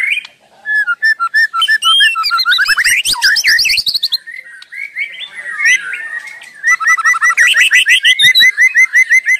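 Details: Non-stop singing white-rumped shama for 'masteran' training: whistled phrases, a loud scratchy chattering burst midway, then a steady string of repeated two-part whistled notes.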